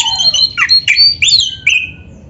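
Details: Oriental magpie-robin singing in a dense, filled style in Indonesia: a quick series of high, sharp whistles and downward-slurred notes, closing with a long, level whistle that fades out.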